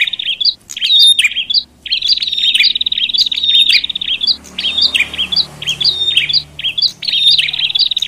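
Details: Bar-winged prinia giving a noisy call that stirs up other prinias: loud, high, sharp chirps in rapid bursts of several notes, about one a second, broken by short pauses, with faint low background hum.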